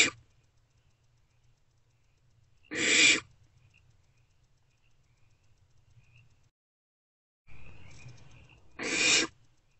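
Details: Barn owlets snuggling in nest box C, 2 March 2024, before dawn: two loud, breathy hisses about six seconds apart, with a softer rasping noise just before the second.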